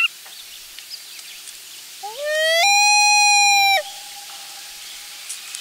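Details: Loon at its nest on the last day before the family leaves, with both parents and a chick present, recorded by a nest camera on July 16, 2024. One long wail rises smoothly, then holds a steady, rich note for about a second before cutting off. Faint background calls.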